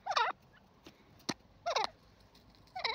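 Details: Grey francolin (gora teetar) uttering three short, quavering, down-bent nasal notes roughly 1.3 seconds apart, with a single sharp tap between the first two.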